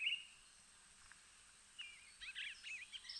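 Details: An eastern bluebird, a spring backyard bird, gives soft, warbled phrases of a few quick notes, rising and falling in the upper register, after a brief opening note and a pause.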